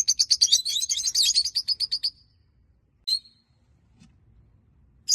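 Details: A small flock of five peach-faced lovebirds chatters in a rapid burst of high, shrill chirps for two seconds, then gives a few single sharp squeaks after short pauses.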